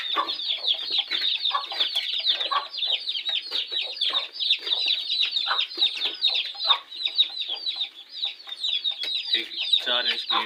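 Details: Golden hen gone broody in summer, placed on eggs and arranging her own nest; busy flock-like clucking with rapid, overlapping short calls throughout, a louder harsher burst near the end.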